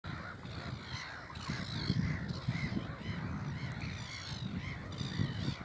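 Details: Several black-headed gulls at Burwell Fen, Cambridgeshire, UK, 15 April 2015, about 5:27 pm: harsh, grating kraah calls overlapping in a restless, noisy chorus over a steady rumble of wind.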